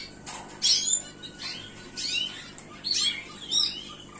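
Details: Gloster canary giving scattered high chirps and quick sweeping whistled notes in separate short bursts, fainter and more broken than continuous song, over a quiet background.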